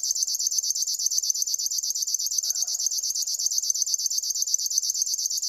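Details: Continuous pulsed song of a River warbler, a high, rasping, sewing-machine-like chatter repeated at an even fast rate, with a brief soft lower sound near the middle.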